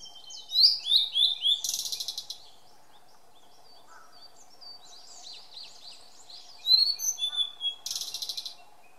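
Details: A blue-and-white flycatcher (Cyanoptila cyanomelana) sings in Maruhi Nature Park on 26 April 2014: two clear, sweet phrases of high, slurred whistles ending in rapid buzzy notes, against a steady low hum.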